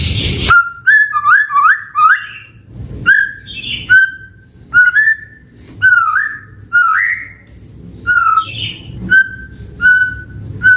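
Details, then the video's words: White-rumped shama in full, lively song rich in fill-in phrases, used as a lure to make other shamas answer and as a tutor recording: a run of clear whistled notes, rising and falling slurs, about one phrase per second, with faint low background hum. "Pancingan Murai Batu AUTO NYAUT Langsung RESPON Bunyi - Masteran Suara Burung Murai Gacor Full Isian"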